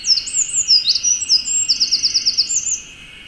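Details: A Eurasian wren sings atop a dead tree in Okuchichibu, Japan, pouring out high sliding whistles followed by a quick trill of about eight sharp notes, then stopping, against a constant high-pitched background hum.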